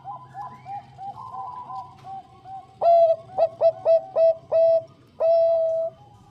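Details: Bangkok-type zebra dove, a female calling the male, in lively, clear song: soft background coos give way to a loud burst of short, stuttering, mellow coo notes, then one long sustained coo.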